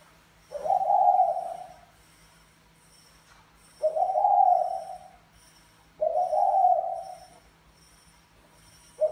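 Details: A Mã Phấn spotted dove male coos to court a Bài Lối female: three rough, low, sustained notes roughly every two and a half seconds, separated by near silence with a faint high hum.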